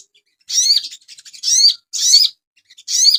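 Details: Cage-bird training song of an Asian pied starling: four loud squeaky phrases, each about a third of a second long and built of mixed whistles and rasps, spaced roughly half a second apart.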